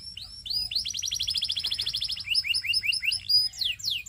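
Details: A Belgian canary sings a varied song: a few sweeping notes open into a fast, even rattling trill, followed by chopped repeated phrases and bright rising sweeps at the close.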